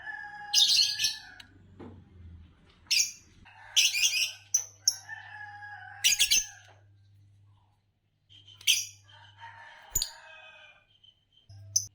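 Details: Green Fischer's lovebird, noted in Indonesia for long songs in bird song competitions, delivering a busy series of harsh squawky chirps and short buzzy whistles in bursts, with brief pauses and a low hum throughout.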